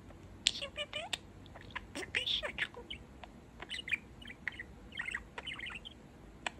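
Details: Male pet budgerigar chattering away in quick, scratchy squeaks, chirps and clicks, a soft warbled run of short notes with tiny gaps, quieter than its spoken phrases.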